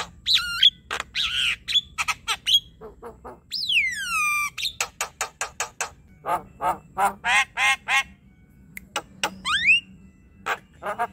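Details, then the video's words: Varied Javan myna chattering song intended to lure quiet birds into calling; warbled whistles, rapid clicks, a long descending whistled slide and rhythmic series of harsh, buzzy notes. "Ocehan jalak kebo | Jalak kebo yang diam malas bunyi COBA Pancing dengan ini"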